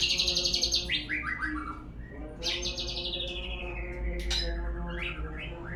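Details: White-rumped shama lure song: quick descending trill of repeated notes, then long downward-sliding whistled phrases and a few sharp high notes, over a humming background.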